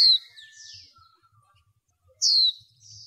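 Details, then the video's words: A female white-eye calls to stir up males in bird training. One bright falling note comes at the start and a second after a two-second pause. Faint thin twittering and soft low knocks fill the gap. "Khuyên mái kích trống | khuyên mái kích trống nghe là trống mê"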